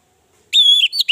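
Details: An orange-headed thrush lure call: a clear, high whistled note held for about a third of a second, then a couple of quick, slightly higher slurred notes, after silence. It is used to make other thrushes call.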